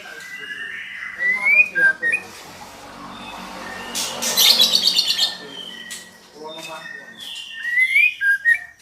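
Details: Calls of a female white-rumped shama used to prompt a male into song: rising whistled slurs, a dense burst of high chattering notes midway, then more upward-sweeping whistles over a noisy background.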